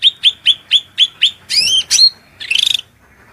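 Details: Grey-cheeked bulbul in a loud, piercing training song: six short sharp chips at an even pace, then two rising-falling slurred whistles and a buzzy rattling burst, all high-pitched and clean.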